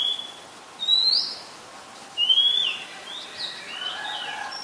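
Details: Oriental magpie-robin singing in Ubon Ratchathani, Thailand, on 18 April 2022, captured with a Nikon P1000: loud, pure whistles that rise steeply, spaced roughly a second apart, then fainter twittering notes trailing off.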